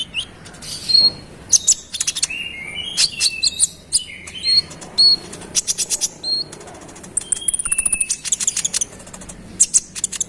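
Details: Konin singing a persistent rolling song to provoke other konin: rapid bursts of sharp high chirps, dry trills and slurred whistles, with rustling flutters between phrases.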